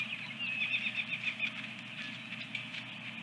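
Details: Osprey at a nest holding eggs at Dunrovin Ranch, 24 April 2022, morning, around the second egg; a rapid run of thin, high chirps for about a second, then softer chirps over a steady background hiss and low hum.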